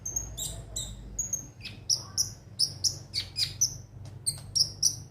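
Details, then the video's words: Sunbird called konin, its song meant to spur birds into singing: bright high chirps repeated in a quick, fairly even rhythm with small downward slurs, soft low hum behind. "pancingan suara burung KONIN agar rajin bunyi tiap hari"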